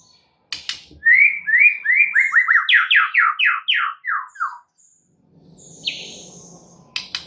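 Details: Shama song used as a prompt for other birds to sing: a fast series of bright whistled notes falling in pitch toward the end, then a harsh rasping note, with clicks and faint background noise.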